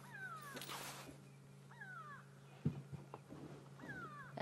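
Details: Grey go-away-birds alarm-calling at sunrise in Sabi Sand (31 May 2016), probably at a hyena, give three drawn-out, nasal, wavering wails about two seconds apart over a steady low engine hum and a few knocks.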